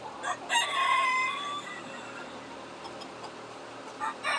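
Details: On a homestead farm in July 2021, chickens that have seen the farmer and know it is feeding time call excitedly: a drawn-out rooster-like cry near the start, then scattered squawks and clucks over a noisy farmyard background.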